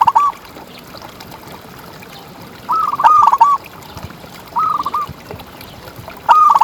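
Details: Local zebra dove (perkutut) contest bird singing as a tutor recording; short rolling coo phrases of quick clipped notes at one pitch, recurring every one to two seconds, low steady background hiss.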